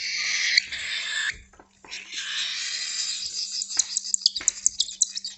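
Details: Baby cockatiels being hand-fed breakfast at a bird shop in San Diego beg with harsh, wheezy hissing rasps, first a continuous breathy buzz, then rapid pulsed squeaks near the end, over a faint steady hum.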